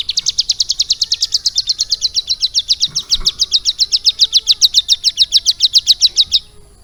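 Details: Long, unbroken, fast chatter of bright, high, clipped notes comes from a hill prinia, caged and trained about three months to take on lovebird song. It lasts over six seconds, with a faint knock midway.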